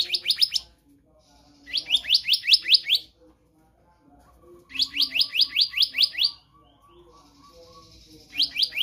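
Black-naped monarch singing quick bursts of seven or eight sharp, rising, ringing notes, each burst about a second long and repeated every couple of seconds over a faint hum.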